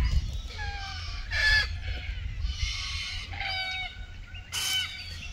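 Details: Red-tailed black cockatoos courting and mating in Keep River National Park, Australia, June 2023, give five or so harsh grating rasping calls in quick succession, each under a second, over a steady low wind rumble.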